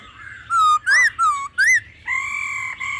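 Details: Laughingthrush in a wild-style mature voice mixed with female calls, used to rouse other birds: rich whistled phrases, some dipping and some arching upward, followed by a long steady whistled note.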